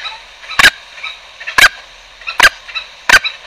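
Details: Green junglefowl calls used as a trapping lure: four short, sharp, raspy bursts spaced roughly a second apart against a quiet, hissy background.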